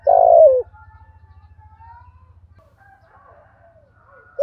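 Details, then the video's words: Spotted dove cooing in the thổ thúc gù style, suited to newly caught birds: one loud, low, hoarse falling coo at the start and another beginning at the very end, with a faint low hum and soft murmurs between. "Tiếng chim cu gáy giọng thổ thúc gù bài bản giọng hay rất hợp bổi"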